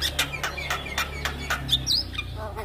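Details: Javan myna singing to prompt silent mynas to sing: a rapid series of harsh, scratchy broadband bursts roughly every quarter second, ending in a brief high twisting whistle, with a constant low hum beneath.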